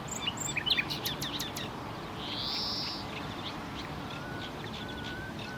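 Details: Common nightingale singing: a few sharp, high clicking notes, then a broad hissing burst and a thin, faint whistle over steady low background rumble.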